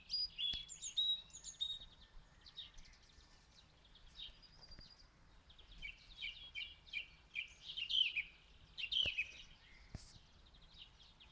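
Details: Distant song thrush in Zala county, Hungary, captured by mobile phone: a lively run of sharp, varied whistles and chattering notes grouped into short phrases, with clicks and handling knocks amid faint hiss.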